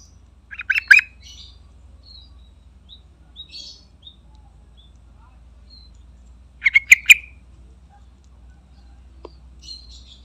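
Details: Yellow-vented bulbul in full chatty voice, used as a lure call: two bursts of rapid bubbly chirps, one near the start and one about six seconds later, with faint scattered notes between and a low steady hum.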